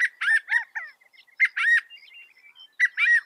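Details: Northern mockingbird, known to imitate 200 sounds, giving harsher, lower squawky notes in clustered phrases, each pair of rough calls followed by soft twittering fragments.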